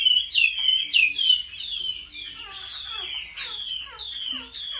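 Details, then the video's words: Contest-style song of a caged Chinese hwamei during home training: ringing, downslurred whistles repeated about once a second, shifting into quicker descending notes. "Họa mi hót đấu cực hay"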